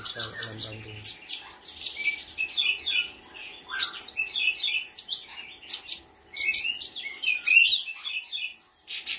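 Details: A cucak cungkok (trotol bulbul), still in song-training, sings a lively, busy run of high, sharp chirps and twittering phrases, its song filled with mimicry of Katem, Bren, Rambatan, Parkit, Srindit and others, near Bandung. A faint steady hum and a brief low rumble open the recording.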